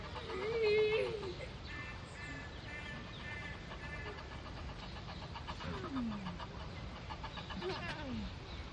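Egyptian goose gives a loud nasal honk, then a run of rapid, harsh cackling notes and two falling squeals, over a steady low rumble.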